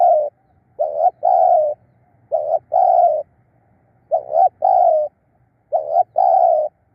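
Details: Spotted dove used as a decoy to lure wild birds, cooing in a steady pattern: a quick doubled note then a longer mellow coo, repeated four times about every one and a half seconds, with faint low background hum.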